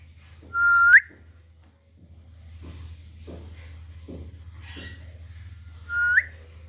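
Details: Two loud, upward-sliding whistles from an Alexandrine parakeet, about five seconds apart, with soft scattered knocks and rustles between them and a constant low hum underneath.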